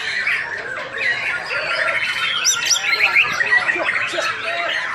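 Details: Prize-winning white-rumped shama kept for song contests in Singkawang, delivering a busy stream of harsh squawks mixed with quick whistled phrases and twittering, about two notes a second, rising in intensity midway, with faint human talk behind.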